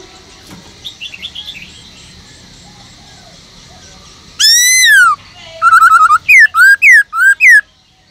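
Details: Black-throated laughingthrush in a cage, singing forest-style song: faint soft notes at first, then a loud long descending whistle followed by a rapid series of five bright arched whistled notes.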